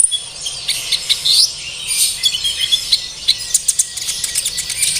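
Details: High-pitched twittering of an olive-backed sunbird, used to prompt captive birds to sing: a dense run of thin chirps at first, then separate sharp ticks and short squeaky notes.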